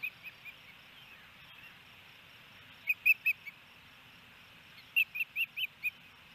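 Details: Osprey at a nest in Hellgate Canyon, Missoula, Montana, on 28 May 2018, as the male brings a fish and feeds the female; two bursts of short, sharp, high whistled chirps in quick series over a steady background hiss.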